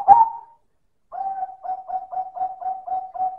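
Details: Silver zebra dove with loud manggung cooing: a phrase end fades out, then after a pause comes a steady run of about eight short, even mid-pitched coo notes, evenly spaced, with no other sounds.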